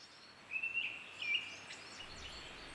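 Mistle Thrush song: a short, loud, fluty whistled phrase that wavers at a steady pitch for about a second, followed by fainter, scratchier notes against a soft outdoor hiss.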